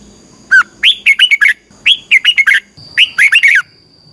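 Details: Red-whiskered bulbul singing a training song meant to teach other birds, three nearly identical phrases in quick succession, each a falling note then a string of warbled, rising-falling whistles.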